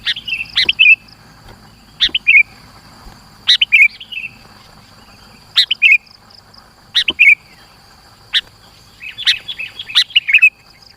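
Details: Gacor sooty-headed bulbul song used to provoke rivals closer and to tutor other birds: a bubbly, falling whistled phrase repeated roughly every one and a half seconds, each opening with a sharp click, over a constant high whine.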